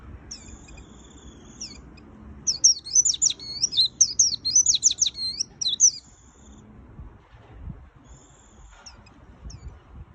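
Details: White-eye in energetic, chattering full song: faint high thin notes build into a dense burst of rapid squeaky twitters and sharp sliding whistles for about three seconds, then fade to softer high tones over a low background hum.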